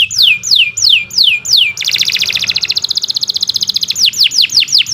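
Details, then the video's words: Domestic canary song used as a master recording for training other birds: about five loud descending whistled sweeps, then a fast buzzy trill of rapid repeated notes, then quicker downward sweeps again, with faint low background hum. "Kicau Burung Kenari 106 II GACOR PANJANG Cocok untuk Masteran Super"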